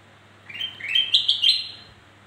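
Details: Song of the black-crested bulbul, played to stir other birds that are slow to sing; a rolling series of liquid whistled notes climbing slightly in pitch over about one second.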